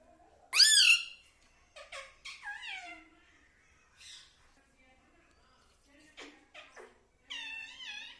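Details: Pet parrot kept indoors, known for saying "mummy", "papa" and "radhe": high, harmonic, speech-like syllables with wavering pitch, a loud burst near the start, then softer short phrases and another loud phrase at the end.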